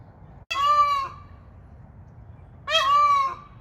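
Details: Peahens of the Indian peafowl honking contact calls after a wheezing peachick called loudly: two loud, nasal, harmonic honks about half a second long, separated by roughly two seconds of quiet.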